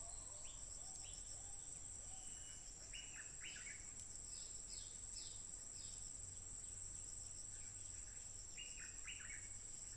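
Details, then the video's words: Stripe-throated bulbul, wild, singing without pause on 15 June 2021, smartphone recording: rapid clusters of liquid, stepped notes in two bursts separated by quieter phrases, with a constant shrill insect drone and low hum behind. "Burung Merbah Lekir Liar Terbaik Garang Tanpa Henti Berbunyi"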